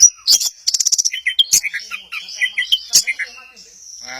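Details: Orange-headed thrush at Kesamben pouring out a rapid song: a fast trill of high notes, then a string of short whistled syllables and a long thin high note at the end.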